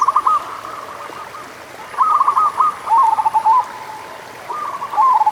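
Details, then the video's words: Local zebra dove cooing, played to get slow-singing doves going: several phrases of short, stuttering coo notes ending in a quavering trill, separated by softer background cooing from other doves. "Pancingan Suara Burung Perkutut Lokal"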